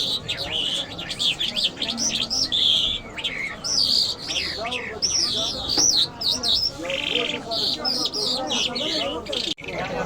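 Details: Iranian lark, called jal, of the Mashhadi type, singing a fast, varied run of high whistled slurs and rising and falling phrases without a break, over a low murmur of background voices.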